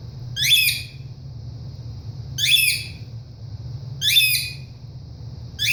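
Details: Pet ringneck parrot indoors calling when its owner leaves the room, a habit repeated several times daily: harsh, broadband squawks about every one and a half seconds, three full calls and one cut off, over a low steady room hum.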